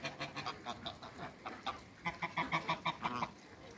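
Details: African and Toulouse geese in a backyard after being let out of their crate among other waterbirds, giving a rapid series of short, nasal honks, roughly three per second, in bursts with a brief pause midway.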